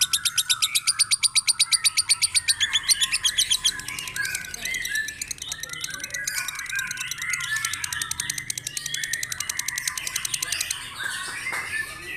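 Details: Lovebird in "ngekek" mode, a fighter bird: rapid shrill chattering bursts, evenly repeated at first, then a denser, noisier, scratchy chatter with some background sound.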